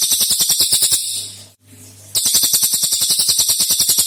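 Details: Cililin, a mature bird singing in a lure recording meant to prompt other birds to sing: a loud, rapid buzzy trill of fast even pulses, briefly broken by a second-long gap, over a steady low electrical hum.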